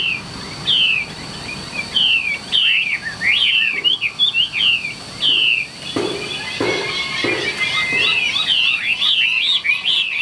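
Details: Caged Chinese hwamei kept as a fighting bird, its song style called ngũ trường. Loud whistled phrases that slur up and down, repeated in quick bursts, with a few dull knocks midway and steady faint background hiss.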